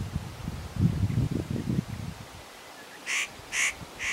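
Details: At Matsunokisawa-no-kashira a spotted nutcracker, preening and unaware of the observer, gives three coarse, scratchy calls in quick succession after low rumbling sounds.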